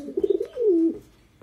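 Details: On a rainy day, a pair of domestic pigeons both call while the hen sits in a nesting pot laying eggs: a few quick throaty coo pulses, then a longer soft note sliding downward.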